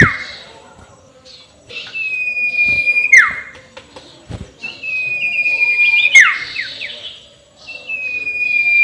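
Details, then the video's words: Sirtu ngekek call used as a rival-provoking lure: drawn-out level whistles that end in sharp downward slurs, broken by buzzy rasps and scattered clicks. "SUARA NGEKEK SIRTU BIKIN LAWAN EMOSI || PANCINGAN SUARA BURUNG SIRTU"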